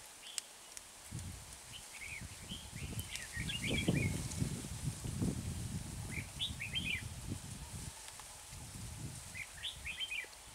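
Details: Red-whiskered bulbul used as a decoy in bird trapping at Chùa Hương. Short clusters of bright, quick chirping notes come in bursts every few seconds, over loud low rumbling and handling noise.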